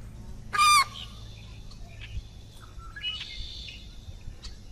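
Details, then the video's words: American white ibis uttering one sharp, harsh, nasal call, followed by quieter drawn-out whistles and chirps of other birds against a low background hum. "Canto del Ibis Blanco Americano"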